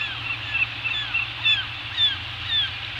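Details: Peregrine falcon on Anacapa Island, Channel Islands, 16 July 2018 around 14:00, giving high, thin, slurred notes about twice a second over a low steady rumble of wind.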